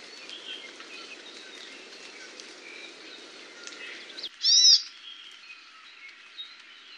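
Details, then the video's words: Amakihi song: a brief, bright burst of high, slurred notes midway, over faint chirps of other birds and a low rumble that cuts out. "Amakihi Song"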